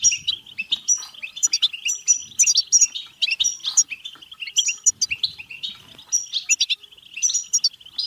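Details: Batbata song of a European goldfinch, intended to trigger singing and mating in other goldfinches: lively, unbroken high chatter with repeated metallic tinkles and quick trills, surging in phrases every second or two.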